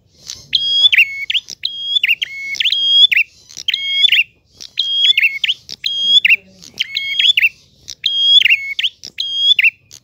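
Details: Prinia delivering a clear, persistent 'ngalun' song: bright steady whistles dropping to a lower held tone, interleaved with buzzy ticks, in tight phrases about every second, with a faint low murmur briefly in the background.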